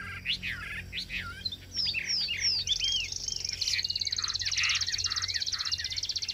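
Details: Chinese hwamei in a cage singing well: varied hooked whistled phrases, then a long fast high buzzing trill with lower slurred notes beneath.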